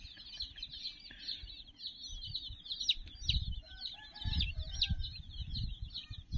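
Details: Roughly 60 chicks clustered around a toy teddy peep continuously in high, rapid chirps; soft, lower, wavering calls appear late, and heavy low thuds and rumbles come and go.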